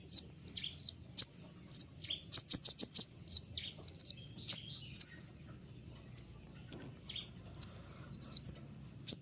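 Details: White-winged triller singing a dense, sharp tutor song for training other songbirds: high downslurred whistles alternating with quick buzzy trill bursts, irregular phrases with short pauses, low background hum.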